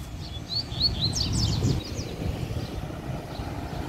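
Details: A kept double-collared seedeater singing a rapid run of short, clear whistled notes, some rising and some falling, at a high pitch over a steady low rumble of traffic or machinery.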